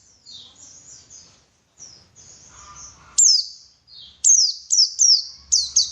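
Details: White-eye singing to stimulate others: a high, thin twittering warble breaks into loud, shrill downslurred whistles in quick, uneven succession, with brief low rumbling beneath.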